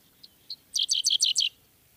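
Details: A Dickcissel, apparently in the Cincinnati, Ohio area, sings two thin, high introductory notes, then a quick run of six dry, chirpy syllables; the background is quiet.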